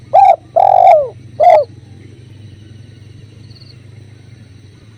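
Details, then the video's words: Spotted dove recorded with river sounds for bird training: a three-part phrase of a short coo, a long drawn coo that falls at its end, and a short closing coo, then quiet with a low steady hum. "Masteran Tekukur River Flow | Suara Alam Sungai Jernih"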